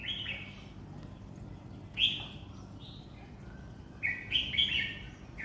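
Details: Red-whiskered bulbul raised for song contests giving scattered whistled phrases: a short warble, a bright note at two seconds, then a fuller chattering phrase near the end, against noticeable background noise.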